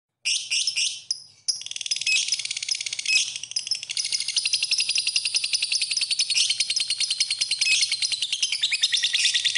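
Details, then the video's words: Lovebird song from a masteran recording: dense, rapid, high-pitched chattering and twittering that starts after a brief pause, with short gaps early on, then runs as a continuous stream of fast, sharp notes. "Kicauan Burung, Love Bird, Masteran Love Bird"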